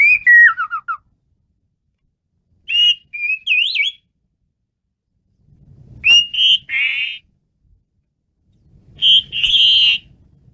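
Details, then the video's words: Asian pied starling in vigorous song: clear descending stepped whistles, wavering warbled phrases and harsh buzzy notes, separated by pauses, with low background rumbling during the later phrases. "jalak suren menggila"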